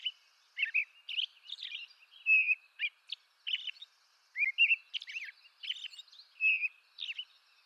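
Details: An eastern North American robin caroling: varied short whistled phrases, one drawn out and level, others slurred and broken by sharp, high squeaks, with short gaps between phrases.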